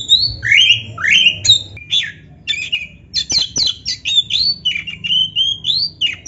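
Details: Kacer, the Oriental magpie-robin, singing a recording meant to stir silent caged birds into answering: harsh rasping notes give way to quick whistled slurs and rising sweeps, dense and continuous.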